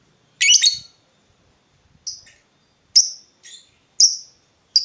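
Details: Lovebird call used as a lure for other lovebirds to answer with 'ngekek'. A harsh, scratchy opening note is followed by short, sharp high chirps spaced about a second apart.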